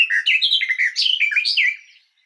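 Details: Garden warbler (Sylvia borin) singing a fast, even, mellow warble of rapid rising and falling notes for nearly two seconds, with no other sounds.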